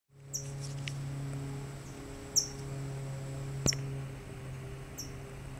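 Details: California towhee guarding a chick: sharp, high, short downward chips repeated about every one to one and a half seconds over a steady low hum, with faint clicks between.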